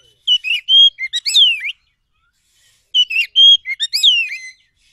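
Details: Oriental magpie-robin from the forest, song played to trigger a reply: the same phrase twice, varied whistles, a held pure note and a long falling slur, with a silent gap between.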